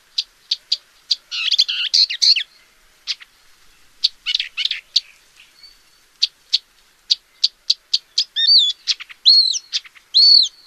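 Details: Paddyfield warbler, a species found in Central and Southeast Asia, singing a fast, chattering song of dry clicks and scratchy bursts that ends in a few clear whistled, looping notes, with no other sounds.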